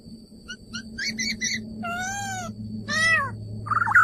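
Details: Male laughingthrush giving short paired notes and chattering bursts, then two long harmonic nasal calls and a twisting whistle, over a noticeable low droning background.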